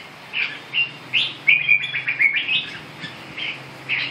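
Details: Red-whiskered bulbul singing a run of short, bright, liquid chirped notes in quick succession, some sliding whistles mid-phrase, with brief pauses between bursts.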